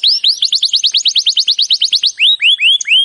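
A canary sings a fast, high trill of about eight rising notes per second, then slows into a few separate upswept whistles.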